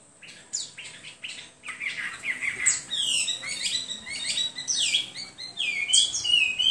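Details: Hwamei song, a continuous flow of loud whistled notes that sweep up and down, with quick slurred phrases and repeated downward-curving notes packed closely together.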